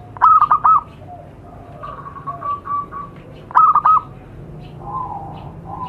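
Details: Zebra dove call from a recording meant to lure wild doves. Two loud bursts of rapid, rolling coo notes about three seconds apart, with softer, steadier cooing phrases in between from more distant birds.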